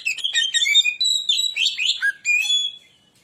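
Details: Persistently singing Oriental magpie-robin in a lure song for provoking rivals: loud, varied whistled notes mixed with buzzy trills, some phrases sweeping downward, ending in a fading whistle.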